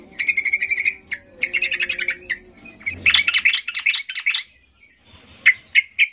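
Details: Agitated, highly vocal yellow-vented bulbul singing to provoke silent birds into answering: bright, chattering bursts of rapid warbled notes in three phrases, followed by a few sharp separate notes.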